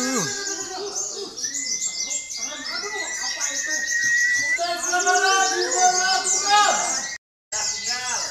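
White-eyes sing in a dense, fast chorus of high twittering phrases, with a long, steady whistle early on and faint voices beneath.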